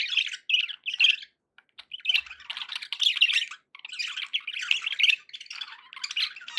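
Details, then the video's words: Budgerigars kept as pets chattering happily: buzzy, squeaky warble in clustered bursts, loud and continuous in the middle, with a few brief silences. "happy budgie sounds"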